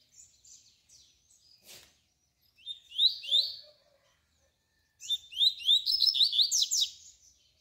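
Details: Tui tui song of a double-collared seedeater, played as a tutor for young birds: soft twitters, then a brief bright warbled burst, a pause and a longer fast run of slurred whistles and chips, with one sharp click near the start.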